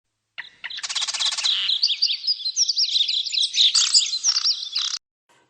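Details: Budgerigars at a breeding farm chattering in a steady stream of high, warbling chirps and squeaks, opened by a buzzy rasp.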